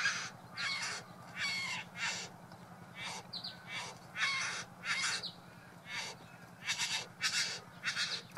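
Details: Courtship performance by a male Satin Bowerbird at his bower, decorated with flowers and blue trinkets, for a female; rough, buzzy churring notes in irregular bursts, interspersed with a few brief twangy sounds, over a constant low drone.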